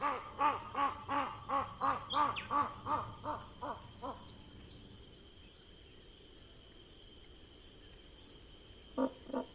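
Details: Rufescent tiger heron, known locally as socó-boi, giving a run of about ten deep, hollow hooting notes that slow and fade over four seconds, then a quiet pause before two more faint notes near the end.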